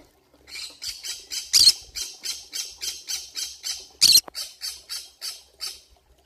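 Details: Pineapple conure, a parrot found in a forest, giving a run of about seventeen harsh, rasping squawks at a quick, fairly even pace. Two squawks near the start and middle are noticeably louder and burst out above the rest. The background is otherwise quiet.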